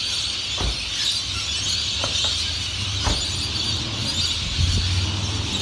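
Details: A dense, continuous wall of shrill, screeching calls from a large lorikeet flock in Cairns, 2018, over a low rumble of traffic and a few sharp knocks.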